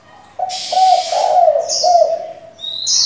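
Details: Spotted dove decoy calling to excite wild doves and train young doves; a sustained, low, rolling series of throaty coos fills most of the recording, with a couple of high whistled notes near the end.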